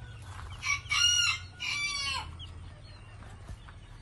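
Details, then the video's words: Fancy hens calling: two loud, harsh, drawn-out squawks about a second apart, rich in overtones, followed by quieter moments with a faint low hum and a single click in the background. "Fancy Hens"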